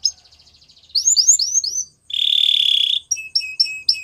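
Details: Spanish Timbrado canary song: soft fast ticking, four upswept chirps, a loud steady buzzing roll, then repeated paired whistled notes.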